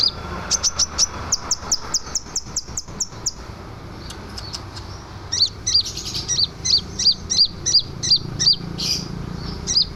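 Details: Scarlet minivet singing energetically, meant as a tutor for other birds: a fast run of thin, high notes gives way to a slower series of clear, ringing whistles, about three per second, over soft background noise.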